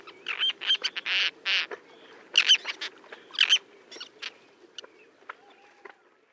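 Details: A small flock of roseate terns diving for fish off the coast at Hauxley, Northumberland, in July 2012, giving harsh, rasping calls and short chips in uneven bursts, about one a second, over a low steady rumble of wind or surf.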